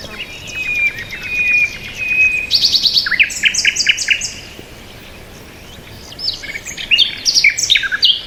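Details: Bird chirping: a sustained thin whistle, then clusters of sharp, fast, high chips, a pause of soft noise, and another burst of rapid twittering notes.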